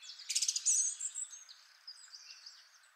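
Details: Song Thrush, the first of three different males, singing a rich song with long, complex phrases: a quick burst of about four high, sharp repeated notes, then a thinner twittering phrase that fades away over the next two seconds.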